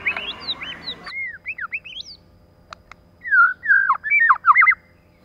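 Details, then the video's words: Female white-rumped shama kept as a lure, delivering rapid looping whistled phrases, first over a noisy hiss, then clicks and a brisk run of twisting whistles. "CHOÈ LỬA MÁI.choè lửa trống + mái kích lửa.choe lua mai.pancingan murai batu.lửa mái mồi."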